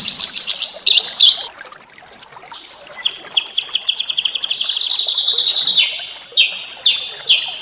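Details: Small songbirds in a training recording meant to stir white-rumped shamas into singing, set against a natural backdrop: high, sharp chirps and short buzzy phrases, then a rapid, even trill lasting about three seconds, then clipped repeated notes at the end.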